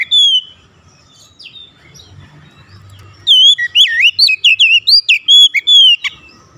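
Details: Oriental magpie-robin song used as a lure to make other magpie-robins sing: a lone high note, near silence, then a rapid run of looping, warbled whistles with sharp upslurs, loud and clear over a faint low hum.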